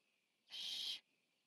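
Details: Nest-camera recording of the largest Barn Owl owlet eating, 14 September 2015: a single steady, breathy hiss about half a second long against a quiet background.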